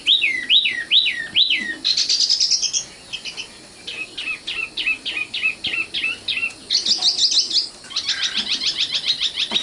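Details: Common nightingale, young 'matal' bird, with varied song: four looping whistles, a fast high buzzy trill, a regular series of chirped notes, then further rapid rattling trills.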